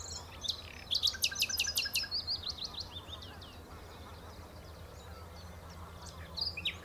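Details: On Texel at the Horsmeertjes, a common nightingale bursts into a loud rapid rattle of about six sharp notes, then softer twittering phrases, with a low hum throughout.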